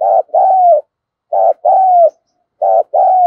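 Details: Decoy spotted dove calling to draw in wild birds: three rich two-part coos, short then long and gently falling, repeating about every 1.3 seconds in a quiet setting.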